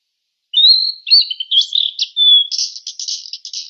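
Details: A fork-tailed sunbird gives one high song phrase. Thin slurred whistles and short chips lead into a steady whistle, then a fast buzzy trill of repeated notes. No other sounds are heard.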